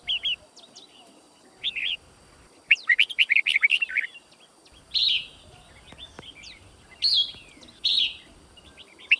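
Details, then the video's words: Red-whiskered bulbul (white-cheeked form) giving fighting song, used to train birds to learn song quickly: short bright warbled phrases in separate bursts, one rapid chattering run of notes in the middle, pauses of a second or two between bursts, steady faint hiss behind. "Chào Mào Hót Đấu"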